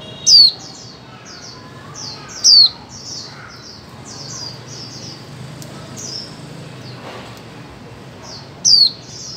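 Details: Female white-eye calling to prompt silent birds to sing: two piercing falling notes early, then a run of softer high chirps, and one more loud note at the end.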